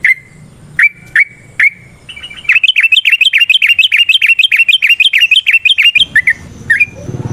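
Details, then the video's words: Yellow-vented bulbul (trucukan) in full song in the ropel, nrotok and ngecuplik styles: a few separate sharp whistled notes, then a fast run of about twenty bright, bubbling chirps at a steady pace, ending with scattered notes and low rumbling noise. "Suara Burung TRUCUKAN gacor ROPEL VARIASI NROTOK NGECUPLIK"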